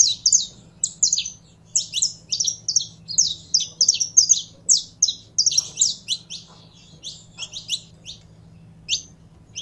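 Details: Captive Saffron finch heating up to sing: bright, high, clipped chirps strung in quick bursts with short gaps, fading to a few isolated notes at the end, over a quiet steady hum.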